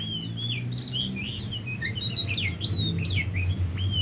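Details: Tame Oriental magpie-robin giving a lively run of whistled, sliding notes and short chirps over a steady low rumble of background noise.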